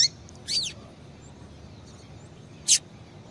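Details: Female double-collared seedeater calling to excite males: a short chirp, a longer slurred note falling in pitch, a long pause, then one sharp high chirp, over a faint hum.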